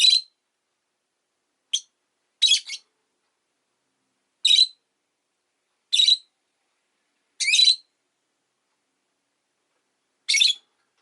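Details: Rosy-faced lovebird relaxing in the afternoon, uttering a series of about eight short, shrill, squeaky chirps at irregular intervals of one to three seconds, with silence between.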